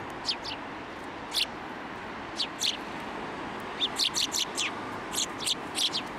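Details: Winter sparrows, 16 December 2023, Tenmangu shrine, flying onto an offered hand for food: spaced single and paired sharp tweets, then a quick chattering run of chirps in the last seconds.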